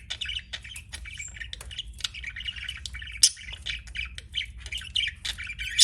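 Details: Budgerigars kept as pets chatter in scratchy, buzzy chirps with occasional sharp squawks, irregular and fairly continuous, over a low background hum.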